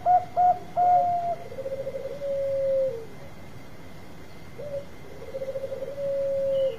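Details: Bangkok-type zebra dove song: three short loud coos, then a quick beaded trill sliding into a long held note that falls at the end. After a pause the same trill-and-hold phrase repeats.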